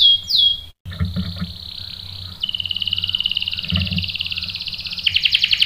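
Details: Lure recording of a canary meant to make other canaries answer with sharp rolls: a short high whistle, then long buzzy rolling trills that step higher and speed up near the end, over soft low knocking noise.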